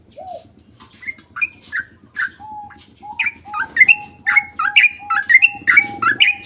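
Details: Sooty-headed bulbul in full long-roll song, used as a lure so other bulbuls answer: short bright chirping phrases that speed up and grow louder, with repeated lower whistled notes between them and a faint background hum.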